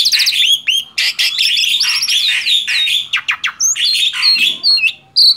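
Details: Tame male black-winged starling singing vigorously: rapid squeaky trills, harsh squawks and sharp upward-slurred whistles packed closely, ending in brief separated clear notes.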